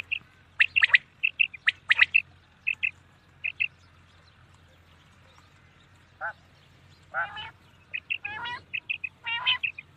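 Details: Common quail at night giving short, liquid, high notes in quick clipped groups, mixed with harsher, rasping notes lower down.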